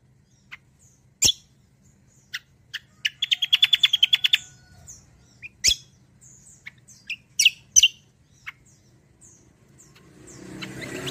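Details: Kecial kombo singing, used as a lure and song model for other birds: scattered sharp high chirps and clicks, then a fast rapid trill of about a dozen notes, followed by more spaced piercing chirps and rising hiss at the end.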